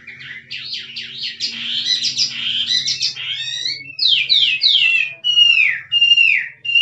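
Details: Wild Chinese hwamei, 'drumming' song: dense buzzy rattling phrases, then clear downward-sweeping whistles repeated in a series, each slurred note loud and separated by short gaps; faint steady hum.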